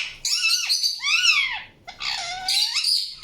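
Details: Indian ringneck parakeet giving harsh, buzzy chirps with bright upward-arching and downward-sweeping notes, two bursts separated by a short pause, no other sounds.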